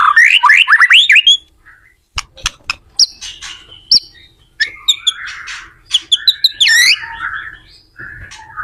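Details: Shama song meant to help other shamas learn to sing: a quick burst of rising slurred whistles, then a quieter stretch of scattered clicks, short high notes and softer buzzy phrases.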